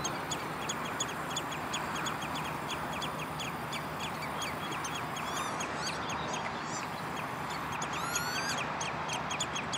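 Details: Common redshank at De Wollebrand water storage area, Naaldwijk, Westland, Netherlands, 11 June 2013: short downslurred piping notes repeated about three times a second over steady broadband noise, with arched, ringing harmonic calls near the end.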